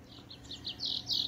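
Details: Goldfinch hybrid delivering a short burst of quick chirps building into louder, buzzy high notes.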